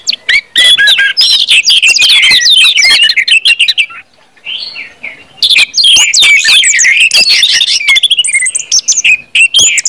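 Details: Orange-headed thrush song used to get other birds singing, a busy run of varied whistled and chattering phrases, a near-silent gap midway, then resuming strongly.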